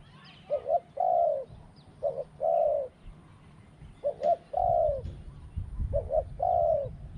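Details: Spotted dove in decoy trapping, with a small voice and a steady two-'kuk', 'ku-ang' pattern. Five rounds of a quick doubled note and a long arched coo follow each other, with a low rumble in the later part.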